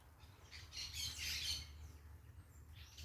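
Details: Parakeets calling outdoors: a cluster of rasping, shrill squawks builds and overlaps for about a second, then a fainter squawk closes the clip, over a low continuous rumble.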